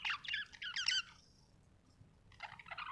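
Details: Quiet, rapid budgie chirps in a short burst, a second of near silence, then another soft run of twittering notes over a low background hiss.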